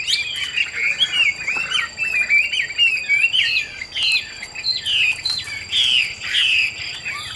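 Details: Chinese hwamei kept as a captive bird in Vietnam, described as fierce-faced and fit for fighting or singing; loud, varied whistled phrases slurring up and down, delivered in quick bursts with brief pauses between.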